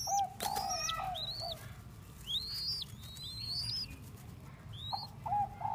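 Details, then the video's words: Young spotted dove of the Thai type, a cage bird, with a few brief mellow coos at the start and again near the end; sharp high whistled chirps from other birds fill the gaps over constant low rumble. "chim cu gáy thái non"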